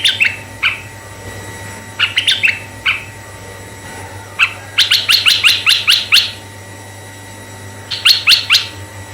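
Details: Red-eyed bulbul song used as a lure for male and female bulbuls: short bubbly notes, then a fast run of about eight sharp, evenly spaced chirps and a later burst of four, over a steady electrical hum.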